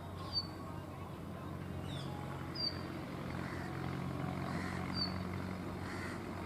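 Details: Indian rock chat calling while dancing at Tibbi, Hanumangarh, Rajasthan, India, in 2019: short, sharp, high downslurred notes repeated about every second or two over a steady low engine-like hum.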